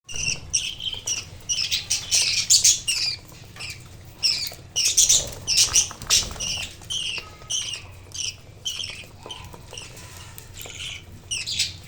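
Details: Budgerigars (Melopsittacus undulatus), a newly emerged chick playing with its parents, chatter in quick, scratchy chirps and squeaky warbles, bursts coming irregularly about twice a second, with a faint low hum underneath.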